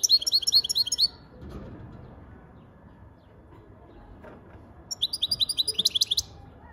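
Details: European goldfinch giving two bursts of fast, bright twittering song, each about a second of quickly repeated tinkling high notes, separated by several seconds of quiet room hum.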